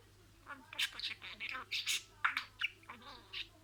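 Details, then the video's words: Domestic budgerigar imitating speech: soft, voice-like murmured syllables with breathy, noisy chatter and a few sharper clicks, fairly quiet over a background hum. "SIRALI KELİMELER, MUHABBETKUŞU SESİ,MUHABBETKUŞU KONUŞMA SESİ DİNLE"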